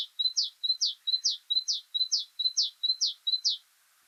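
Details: Great Tit song in spring near Dublin: a ringing two-note 'tea-cher' phrase, a steady note then a higher sliding one, repeated about twice a second; nothing else heard.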